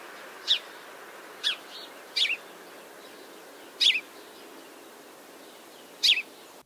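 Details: House sparrow, which has no traditional song and makes chipping noises instead, giving bright clipped chirps, some single and some doubled, five in under seven seconds at an uneven pace, over a soft background hiss.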